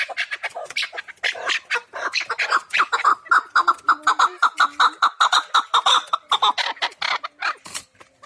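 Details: Chukar partridge of the Pamir, called kabk, delivering fast repeated chuk notes about 113 per minute, with a steady whistled tone running underneath through the middle of the series.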